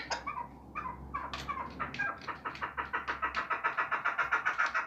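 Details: Hunting chukar partridge giving a fast, regular run of clucking notes that speed up and grow clearer, over low engine-like rumble in the background.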